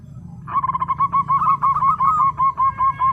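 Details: Zebra dove of local stock in full song, delivering an unbroken run of about a dozen rapid, ringing coo notes with a slight wavering lilt, all at an even pitch, against faint low rumble.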